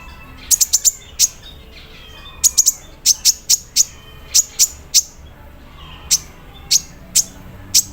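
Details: Sharp, very high metallic ticks come in small clusters and single notes spaced about half a second apart. The singer is a captive sunbird misted at morning time, performing a song filled with embroidery-machine mimicry.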